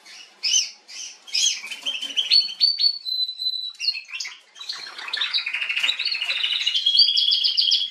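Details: A female canary, recorded 21 January 2022, sings a varied high song. It opens with chirpy notes, moves into a held whistle, and ends with long, rapid rattling trills that build in loudness.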